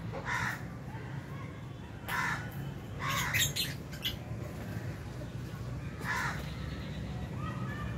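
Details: Lovebirds in an aviary colony at meal time in January 2023, with albino, Fisher's and lutino birds and a budgie eating nearby; short harsh chirps and squawks come in scattered bursts over a steady low hum.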